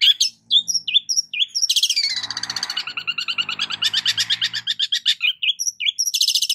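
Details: A long-tailed shrike pours out a varied lure song meant for training other birds: quick whistled flicks open into a dense, continuous harsh chatter of rapid pulses, ending in bright trills and short chirps.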